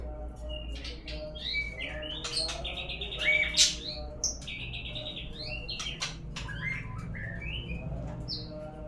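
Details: White-rumped shama song played as a lure to make birds sing: a varied, continuous stream of whistled slurs, rising and falling notes and sharp clicks, with a low hum underneath.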